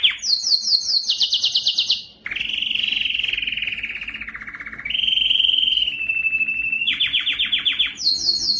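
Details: Canary song to get males singing: fast high pulsed trills, then long lower rolling tours that dip and rise in pitch, returning to the rapid high trill at the end.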